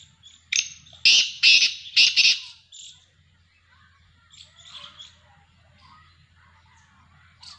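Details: Black francolin calling, four rasping, broadband notes delivered rapidly one after another, followed by faint twittering of other small birds in the background.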